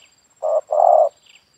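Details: Spotted dove in a yard, its call used for luring other doves: one deep coo phrase, a short hoot and then a longer, fuller rolling note, with a faint high chirp after and a thin steady background tone.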